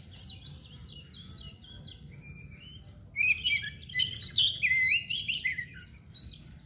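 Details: Kacer (Oriental magpie-robin), described as mbagong, balon or koci nangkur: soft, high chirps at first, then from about three seconds a loud, rich burst of varied, sweeping whistles and trills.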